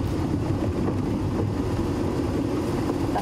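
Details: A vehicle engine rumbles steadily with some wind on the microphone.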